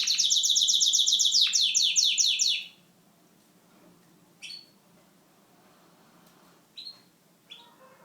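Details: Syrian canary giving a loud, fast high trill of repeated notes for nearly three seconds, followed by quiet gaps broken by a few short, sharp chirps.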